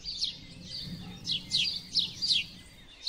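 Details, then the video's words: Sparrow giving high, sharp chirps that sweep downward, about five in three seconds, separated by short pauses, over a low steady background hum. "O LINDO CANTO DOS PARDAIS 🐦CANTO DO PARDAL CANTANDO"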